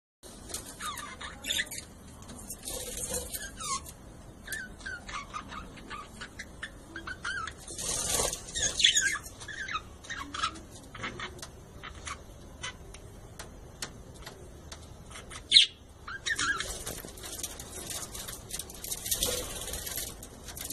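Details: Budgerigars kept in a colony setup, a flock chattering together in a steady, scratchy stream of chirps and warbles.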